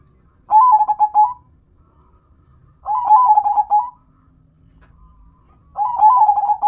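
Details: Zebra dove, a local perkutut, repeating short bursts of rapid rolling coos about every two and a half seconds, three phrases with quiet gaps between them.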